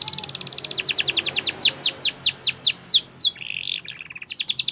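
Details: Training song of a canary, for teaching canaries to sing: a rapid high trill that slows into loud, repeated downward-sweeping whistles, then a lower buzzy phrase and a fresh fast trill at the end.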